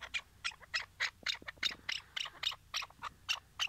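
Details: Tethered decoy Chukar partridge in Şırnak, Turkey, heard ahead of a trap hunt, giving a fast, steady chuck-chuck series of harsh, bright notes, about three or four each second.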